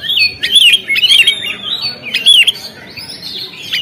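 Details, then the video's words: On a contest stand, an Oriental magpie-robin pours out a continuous varied run of clear whistles, sliding up and down and broken by sharp high accents, with a softer tail at the end. "SUARA BURUNG KACER, Langsung on di gantangan"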